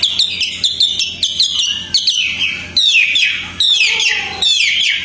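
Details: A tame Hwamei sings outdoors, with song suited to training other songbirds. Rapid bright whistled notes repeat several times a second, followed by loud descending slurred phrases and warbles.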